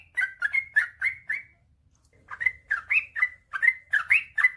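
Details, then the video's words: Male sooty-headed bulbul in rapid master song for sluggish birds: a burst of five liquid whistles, a short silence of about a second, then another quick bubbling run of upslurred notes. "suara burung trucukan gacor ropel panjang"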